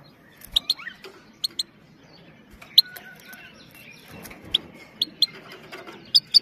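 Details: Clean female goldfinch 'pit pit' calling, played to rouse male goldfinches and teach young ones; brief piercing high chips in pairs, gaps of about a second, faint hiss behind.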